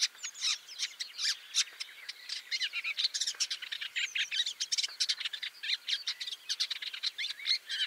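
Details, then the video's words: Woodchat shrike (Lanius senator) delivering a continuous hurried chatter of harsh clicks, squeaks and brief whistled notes, closely packed and uneven in loudness, with no other sounds. "THE WOODCHAT SHRIKE (Lanius Senator)"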